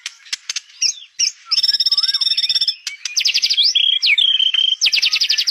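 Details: Lively white-rumped shama song opening with scattered sharp chips, then a long level whistle with a dipping note below it, followed by rapid buzzy trills and slurred whistled phrases.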